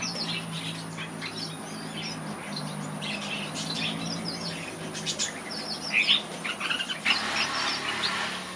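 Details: Red-whiskered bulbul singing and moving about in a bird aviary: busy, overlapping bright chirps and short whistled notes, densest around six to seven seconds, over a steady high-pitched electronic whine and a low hum throughout.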